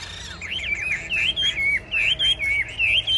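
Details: Caged tame Chinese hwamei competing in a rack singing duel, delivering repeated bright whistled phrases that twist up and down, each burst separated by short gaps at a steady pace.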